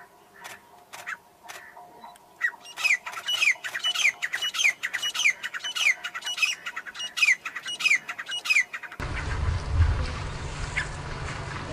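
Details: Grey francolin, locally called teetar or gora teetar, giving a fast run of sharp, rising squawking notes, roughly ten in quick succession with one per half second. Then the calling stops and a burst of broadband noise takes over.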